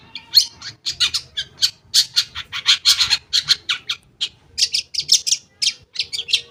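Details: Long-tailed shrike lure song for shrikes that have stopped singing: a dense, fast chatter of scratchy harsh notes, about four per second, with high thin whistles woven in.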